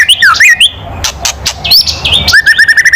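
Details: White-rumped shama giving loud kretekan calls meant to provoke rivals: sharp, fast slurred whistled notes, then a quick run of short chips repeated about five times a second near the end.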